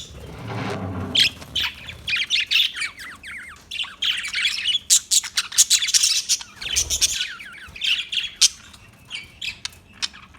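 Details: Budgerigar warbling steadily in rapid, twittering, scratchy chirps and trills, with a low rumble at the start.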